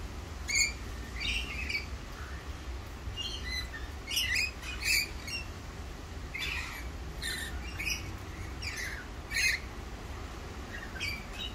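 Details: Wild Australian rainbow lorikeets give harsh, shrill screeches and chattering squawks in quick irregular bursts, several birds calling over a low background rumble.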